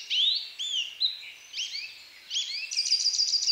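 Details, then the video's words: An American goldfinch sings a rapid, jumbled run of sweet, high twittering notes with rising and falling slurs, ending in a quick series of bright chips. "How does the American goldfinch sing?"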